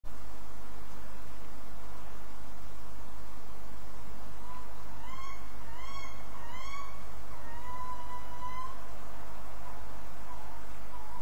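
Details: Male tawny owl calling in a wood at 21:05 on 30 October 2011, roe deer also present: a hollow first note, a few quick notes and a long wavering hoot over about four seconds, over a steady low rumble.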